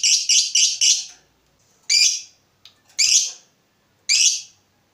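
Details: Heated fighter lovebird calling 'ngetik': four quick harsh shrill notes in a row, then three single notes spaced about a second apart.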